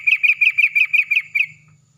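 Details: Yellow-vented bulbul in a loud morning exchange with another bulbul, a lure recording to prompt singing: eight evenly spaced, bright, slightly buzzy notes in quick succession, about five per second, ending with a soft trailing tone.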